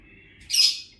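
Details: A single short, harsh, high-pitched squawk from a mischievous parrot. Quiet background before it.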